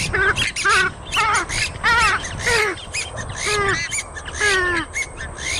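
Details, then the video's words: Oriental reed warbler repeating coarse, croaking, gurgling notes in short bursts over a noisy, rumbling background. "Tiếng Chim Trích Cồ Kêu"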